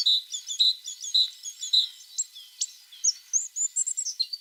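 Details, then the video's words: A tit repeats clear high notes at a steady pace, then switches to scattered upward-sweeping whistles and chirps. "The sound of a tit singing"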